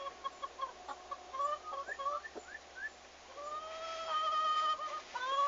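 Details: Turkeys on their first day at a farm, arrival date 11 August 2015; clear whistled notes, some level and some rising, with a longer sustained harmonic tone building in the second half.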